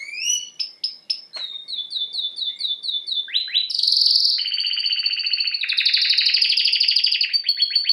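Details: Canary in full song: repeated rising and falling chirps, a quick series of descending notes, then long dense buzzy trills and rolling phrases that continue without a break, loud and clean.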